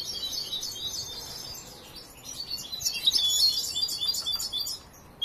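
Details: Young goldfinch not yet fully trained sings a soft, rambling twitter of high chips and short trills, growing louder toward the end, over a noisy hiss.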